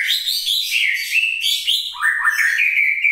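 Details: Gunung Leuser white-rumped shama, a captive prospective breeding bird in Aceh, singing sharply when teased. A continuous, rich run of loud warbled and slurred whistles rises and falls without pause.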